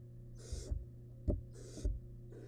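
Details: Wild barn owl nestling in a nest box while eating large rabbit remains; three or four short rasping hisses, separated by a sharp knock and low thuds, over constant mains-like hum.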